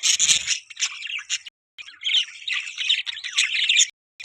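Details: Budgerigars, also called parakeets, chirping: dense warbling chatter of harsh, buzzy notes and short squawks, bursts broken by brief pauses, with a few low thumps at the start.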